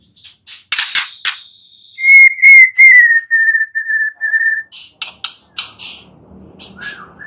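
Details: White-rumped shama singing: sharp dry clicks open, then sustained clear whistled notes held at a steady pitch with a slight waver, followed by more scattered chips and short notes.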